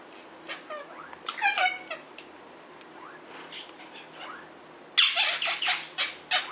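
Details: Indoors, a six-year-old male Indian ringneck parakeet courts a neighbouring female Quaker parrot. Soft chirps give way to a rapid stuttering chatter, then a run of loud, grating squawks near the end.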